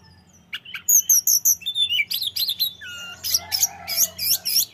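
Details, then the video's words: Sunda robin in vigorous song: clipped high chirps, a few lower whistled slurs, then rapid rhythmic bursts of shrill notes. "Tledekan gunung gacor"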